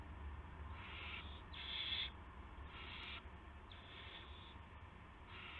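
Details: Nest owl at night, March 18, 2016, 8:00 PM, while a gopher is handed over; scratchy hissing screeches, one louder burst followed by softer, longer hisses, above a faint low hum.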